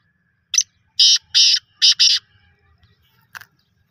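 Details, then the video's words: Grating call of a black francolin: a brief introductory chip, four harsh rasping notes in two pairs, then a lone short note after a pause, over a faint low background hum. "kala tatter"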